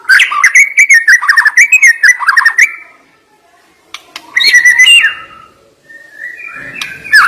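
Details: White-rumped shama song with sharp, forceful notes: a fast rippling run of whistled and trilled notes, a pause, another loud burst, then a lower slurred whistle at the end.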